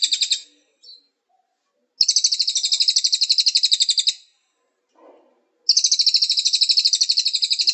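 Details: High-pitched Cililin song from a training recording used to teach birds to sing: a brief trill ending, then two long rapid pulsing trills about two seconds each, separated by silence with a faint low thud.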